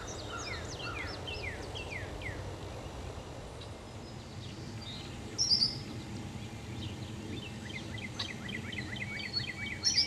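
Eastern Kingbird fledgling giving thin, high, sputtering notes in quick bursts, with sharper chips later, over a steady low rumble of wind or distant traffic.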